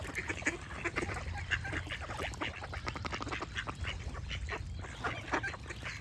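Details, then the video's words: A flock of ducks quacks steadily in loud nasal bursts, some calls doubled or tripled, as small birds chirp faintly behind them. "Duck Quack Sound Effect with Birds Chirping"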